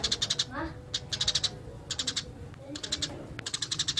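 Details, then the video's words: Eurasian tree sparrow singing actively in a rolling 'ngerol' style: quick bursts of sharp, dry chirps, each run about half a second long and repeated every second or so, over a low steady hum. "Burung gereja gacor master alami"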